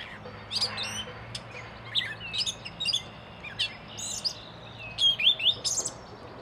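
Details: Gray catbird in the wild in Canada delivering a jumbled run of varied short notes: squeaky chirps, clicks and slurred whistles in quick irregular bursts, with a steady low hum beneath.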